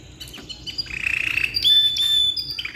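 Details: Black-red ngeroll canary, long song for tutoring: a short stretch of quick pulsing trill followed by a sustained pure whistled note, held steady for about a second.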